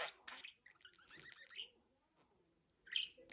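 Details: Budgerigar giving scattered short chirps and a warbling scratchy phrase, then a pause and one sharp high chirp at the end.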